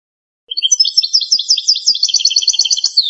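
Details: Authentic Algerian goldfinch singing in the pipiniere, campero style: after a brief pause, a rapid, continuous twittering stream of high, tinkling notes packed closely together, bubbling on without a break.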